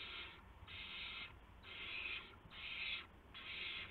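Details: Owlets calling at the nest during the early hours of March 19, 2016, amid prey deliveries of mice and a gopher; four drawn-out, breathy screeches, each about half a second, evenly spaced.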